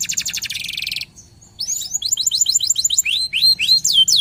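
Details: Local canary singing vigorously as a lure and tutor song: a dense buzzy trill for a second, a brief pause, then a string of high whistled sweeps that slow into separate, longer slurred notes.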